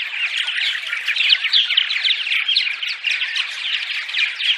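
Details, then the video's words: A chorus of purple martin dawn song, used before dawn to attract martins to nest sites. Overlapping gurgled warbles and chirps run steadily, slightly softer, with no gaps. "Dawn Song CD - Purple Martins"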